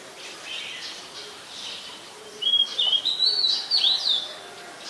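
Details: Oriental magpie-robin, a very common resident, recorded in Ubon Ratchathani, Thailand, on 20 September 2022 with a Nikon P1000; after faint background chirping, loud clear whistled phrases of sliding and warbled notes run for about two and a half seconds.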